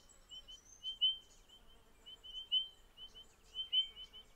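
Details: Spotted pardalote, one of a nesting pair raising a summer brood in the Capertee Valley: high, thin whistled notes on a steady pitch, repeated in short runs of two or three, with fainter twittering above and a soft background hiss.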